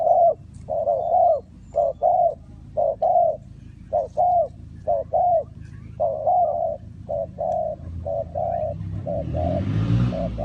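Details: Spotted dove used to lure wild doves for trapping: low hollow coos in short paired and single notes, repeated about once a second, with a faint rumble of background noise toward the end.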